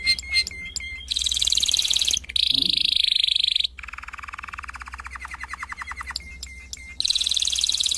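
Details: Canary song from a training recording, quieter here: high buzzy rolls, a long trilled tour and clipped repeated notes, with a faint low sound in the middle.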